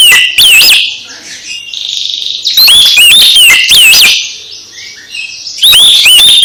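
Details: Magpie-robin song for stimulating a silent bird: short bursts of loud, sharp, swooping whistles and clicks separated by softer scratchy warbling, repeated about three times.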